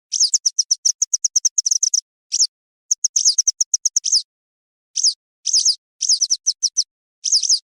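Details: Western yellow wagtail call used to lure birds for hunting. It opens with a rapid even series of high, sharp ticks, followed by sharp sweeping chirps delivered singly or in tight clusters with short gaps. No other sounds.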